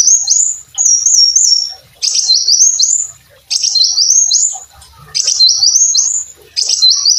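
A brown-throated sunbird sings very high, thin, bright phrases of quick rising and wavering notes, given in bursts roughly every second and a half.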